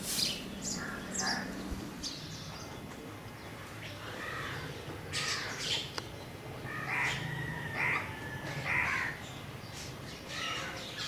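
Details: Crows cawing outdoors: harsh, hoarse caws come in a quick run of three near the end, set against a busy background of smaller birds chirping and a low steady hum.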